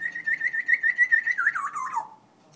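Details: African grey parrot singing: a fast warbling whistle holding steady, then sliding downward in wavering steps and fading out, about two seconds long.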